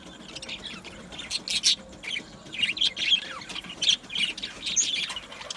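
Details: Budgies chirping in an aviary colony, scattered squawky notes and buzzy warbles in short groups about every half second, fairly quiet between bursts.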